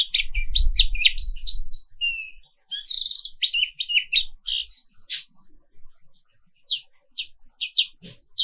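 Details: Morning song of the Indonesian black-capped white-eye: fast high chirps, short trills and downslurred notes in rapid series, with low rumbling handling noise at the start.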